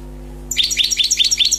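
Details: Wild-caught European goldfinch, recently trapped, starting after a short hum-filled silence into quick, evenly spaced, liquid chirruping notes repeated about every tenth of a second.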